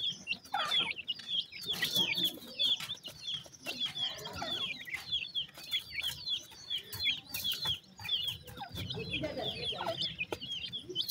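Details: Pheasant chicks feeding, partridges possibly present; a steady chorus of sharp, falling peeps repeated several times per second, with scattered pecking taps and rustling.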